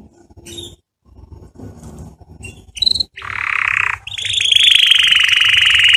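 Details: Canary singing for chick training. Scattered faint chips over background hiss give way to a loud buzzy roll and then a long, strong, even trill.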